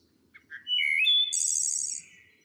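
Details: Wood thrush (Hylocichla mustelina) song in Missouri in spring, said to echo through forest: a few soft low notes, then a clear fluted phrase ending in a high, shimmering buzzy trill, followed by a softer tone.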